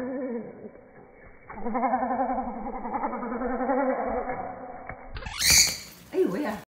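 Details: Pet cockatiel screaming after another cockatiel bites its tail during a routine squabble, indoors; a loud, harsh broadband screech bursts out near the end, following several seconds of lower wavering, warbling sounds.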